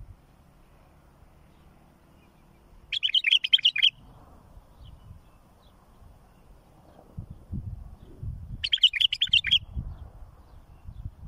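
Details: Bulbul singing a song used to tutor fledglings: two short, rapid, chirpy warbled phrases about six seconds apart, each under a second, with low rumbling background noise between and after them.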